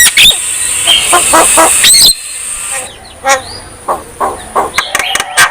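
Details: Javan myna singing vigorously, meant to prompt reluctant mynas to call; two seconds of dense harsh chatter, then sparser scattered notes and a few soft whistles.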